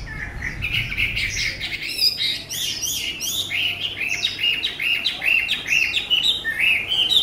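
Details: A tame Chinese hwamei delivers a run of short, looping whistled phrases, each rising then dropping, repeated roughly once a second and growing louder and more rhythmic toward the end.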